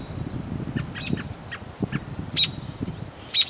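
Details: American robin nestlings in a nest near Fisher, Minnesota, on 26 May 2010 give thin, high-pitched begging squeaks in short bursts about once a second, over a low rumble of wind or handling noise.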